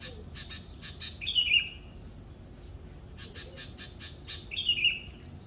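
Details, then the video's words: Indonesian morning bird sound: quick scratchy chatter leading into a clear, downslurred whistled note, the phrase given twice about three seconds apart, over faint background hum. "morning bird sound"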